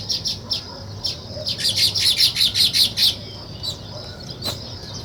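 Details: Nest-building weaver birds: a few spaced high chirps, then a fast run of loud, buzzy chirps repeated roughly every quarter second, trailing off into softer single notes.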